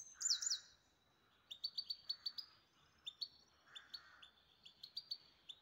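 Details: A pet grey-headed goldfinch in the city of Istaravshan sings a series of bright, high, clipped chirps and short twittering notes, some in quick clusters of three or four, with soft lower buzzy bursts between them.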